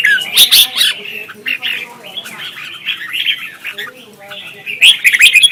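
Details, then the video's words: Red-whiskered bulbul competitive singing, used to stimulate other birds to sing: loud sharp chirps at the start and end around a softer stretch of rambling whistled warbles over faint low tones. "Chào mào hót đấu"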